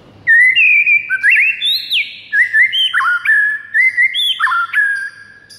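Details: White-rumped shama singing in the morning, a training recording for kept songbirds: a rich, varied run of clear whistles, slurred rises and falls and abrupt jumps between pitches, delivered continuously and loudly.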